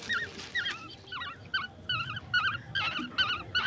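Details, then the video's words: Young yellow birds and koel chicks fed grasshoppers at night inside a home: wavering, slurred chirps that start sparse and become a regular rapid series of twisting notes, with low household noise underneath. "Feeding baby birds at night [ Holdi Pakhi & Kokil pakhi ]"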